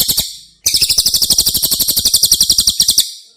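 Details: Cililin song used as training material for caged White-rumped shamas: a brief opening burst, a short pause, then a fast, even, high-pitched trill of sharp pulses, about nine per second, held for nearly three seconds.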